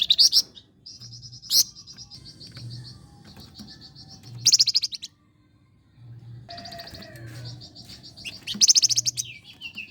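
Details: Flame-breasted flowerpecker song for training songbirds: repeated high rattling tick series punctuated by several intense buzzy bursts, one brief gap of near silence, and a few thin sliding whistles near the end, low hum behind.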